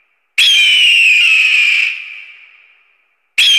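An eagle gives a long, harsh, high screech that holds a steady pitch for over a second, then trails off. A second screech starts abruptly about three seconds later.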